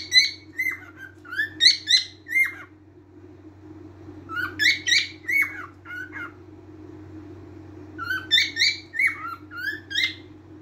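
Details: Cockatiel song of varied whistled and chirping phrases, some notes rising, others dropping, in three clusters separated by quieter gaps, over a steady low electrical hum.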